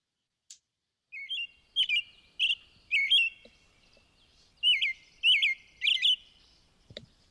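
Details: A male American robin in New York City gives his excited dawn song: two bursts of clear, caroling whistled phrases, each note rising and falling, about three notes a second, with thin squeaky overtones.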